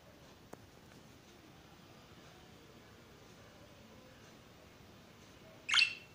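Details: After a quiet stretch, a free-flying pet budgerigar gives one short, harsh, scratchy chirp right at the end.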